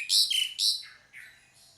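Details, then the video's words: Pied myna call: two strong, scratchy squeaks with whistled endings, followed by softer, lower, trailing whistled notes. "SUARA PANGGILAN JALAK SUREN"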